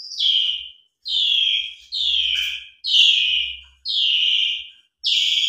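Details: Asian pied starling singing vigorously, a lure recording meant to start stalled starlings singing. Loud, slurred whistles fall in pitch, each lasting nearly a second, repeated about once a second in a steady series.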